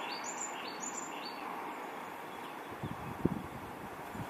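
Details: Injured African blue tit, Cyanistes teneriffae, missing an eye and a leg, calling back on a windy day; a few thin, high descending notes in quick succession, followed by low thuds and rustling wind noise.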